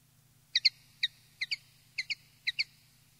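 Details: Common linnet in a field-style tutoring recording giving paired sharp high chip notes, each pair spaced roughly half a second apart, against a soft low hum.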